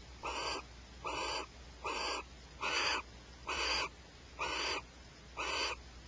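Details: A barn owl pair at Starr Ranch quarrelling over a rat: seven even, raspy hissing screeches, each about half a second long, delivered at a steady beat of nearly one per second.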